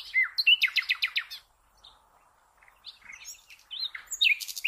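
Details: Common nightingale singing, a recording meant for training cage birds: rapid series of loud repeated percussive notes in the first second and a half, silence, then scattered high whistles and buzzy phrases.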